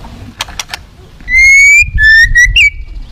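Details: White-rumped shama in aggressive, provoking song: three quick clicks, then long pure whistles held steady and slightly rising, followed by short whistled notes ending in a twist.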